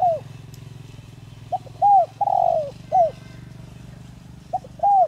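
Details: Spotted dove decoy singing in the 'giọng đồng' voice to make wild doves respond: a falling coo, then a full phrase of a soft lead note, arched coo, long burry coo and short coo, and another phrase starting, with a low engine hum underneath.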